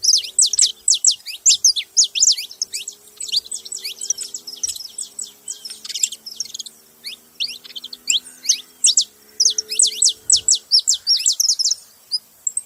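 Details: A lively group of saffron finches pouring out a dense, continuous stream of high, steeply falling chirps in repeated bursts, with a faint low steady hum behind.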